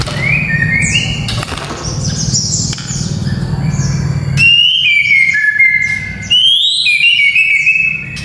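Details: Song of the white-rumped shama, used to train young males for fighting: rich whistled phrases, some rising and some falling, with harsh scratchy notes early and clear ringing whistles later, low hum beneath.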